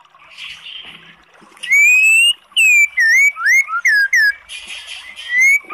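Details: Oriental magpie-robin song used to provoke a sluggish bird into singing: loud pure whistled notes, some rising and some falling or looping, given in quick separate phrases, with a buzzy harsher passage near the start and end.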